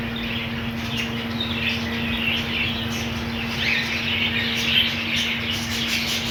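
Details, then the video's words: Budgies kept as a colony with green food, giving overlapping warbled chirps and short rising and falling twitters that fill the whole stretch, with a constant low mechanical hum beneath. "Budgies colony"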